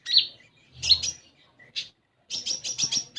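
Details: Common iora (konin) phrases meant to get an untrained bird singing: two loud high chirps, a soft low note, a pause, then a fast run of squeaky high notes.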